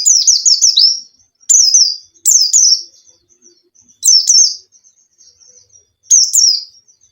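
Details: White-eye lure song for a caged pleci: a fast tumbling run of high sliding whistles, then repeated short bursts of two notes roughly every two seconds with thin twitters between.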